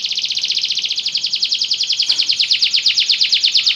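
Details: Belgian canary delivering a steady, regular trill of high repeated notes, about ten per second, continuous throughout.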